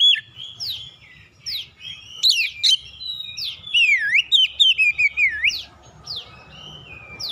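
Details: Magpie-robin song as a lure to make other birds sing: varied whistles, swooping and wavering notes in a busy phrase, ending with a downslurred whistle and soft background hiss.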